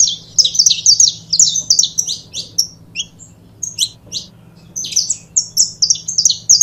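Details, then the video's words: Two saffron finches, known as canário da terra, sing a dense string of sharp, high chips that thins into scattered single notes, then builds again into fast bright chirping, with a gentle low hum behind. "Casal de Canário da Terra Bom Para Foguear!!!"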